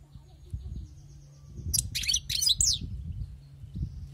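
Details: Wild-caught European goldfinch giving a short, sharp flurry of twittering and buzzy chirps lasting about a second, over a steady low hum and soft background rumble.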